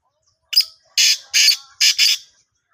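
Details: Calling black francolin from Sindh, Pakistan, giving a short opening note followed by four loud rasping, scratchy notes in paired rhythm over roughly a second and a half; a quiet faint tone lingers beneath, otherwise a clean background.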